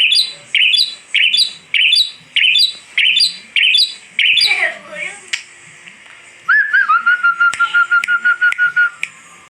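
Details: Caged Asian pied starling repeating loud chirped phrases at a steady beat, then a gurgling passage and a long level whistled note laced with rapid clicks.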